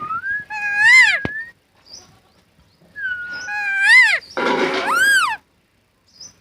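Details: Talking parrot, natural recording: loud harmonic squawks with bending, rising-and-falling tones, two groups of calls with a rough, noisy burst between them, then quiet.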